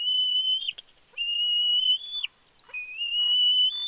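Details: Fledgling bald eagle at Big Bear on her fledge day, 31 May 2022, squeeing excitedly as her father flies in with a fish; three long, loud, high whistled squeals, each rising slightly at the end, separated by short pauses.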